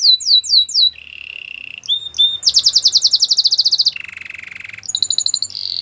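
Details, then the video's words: Song of a Gloster canary, opening with quick swept whistles, then a low buzzy roll, a bright rapid trill, a deeper rattling tour and closing chirps, all clean and continuous. "Gloster canary singing"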